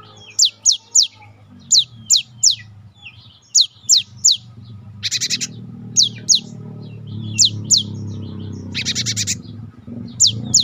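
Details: Cinereous tit song used to prompt caged birds to sing: sharp high whistled phrases in groups of two or three, interrupted by buzzy rattling bursts, over a low background hum.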